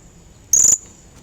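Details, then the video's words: Blue-crowned hanging parrot luring and calling a rival: one loud, shrill, slightly buzzy high note lasting about a quarter second. "serindid gacor suara pikatan memanggil lawan"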